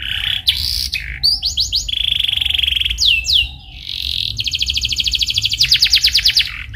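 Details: Rolling canary song played as a lure so a listening canary learns and answers: held whistles and short sweeps lead into a long, rapid, even trill in the second half.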